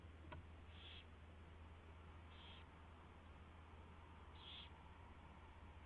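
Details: Owl at a nest, recorded by a live camera at 4:21 AM on 24 February 2016 during a mouse delivery and feeding; three short, harsh, high bursts about 1.5 seconds apart over a steady low electrical hum.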